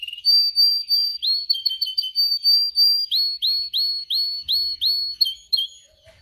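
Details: Canary song used for training canaries to sing: loud, clear whistled phrases near the top of the range, first steady repeated notes, then a run of quick upward-hooked notes repeated about three times a second.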